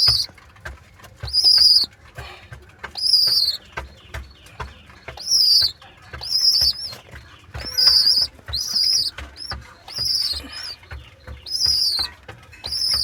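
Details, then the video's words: Baby pigeons, two squabs, squeaking 'chu-chu': high, thin squeals under a second long, arriving every one to two seconds, with faint clicks and rustles between them. "Baby pigeon squeaking sound"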